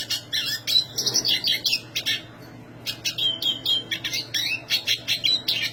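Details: Black siskin singing in a lively, high-pitched style: bursts of sharp chirps and short buzzy trills, with a brief quiet gap near two seconds, then steady thin whistled notes and rapid twitters. A low steady hum runs underneath.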